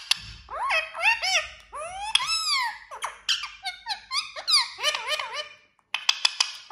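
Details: Talking parrot chattering continuously in quick, varied squeaky syllables, many arching up and down in pitch like speech-like phrases, ending after a short silence with sharp clicks.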